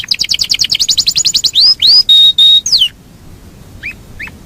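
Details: Yorkshire canary song: a quick choppy rolled passage, then three long clear whistled notes, a drop to quiet and two faint chirps.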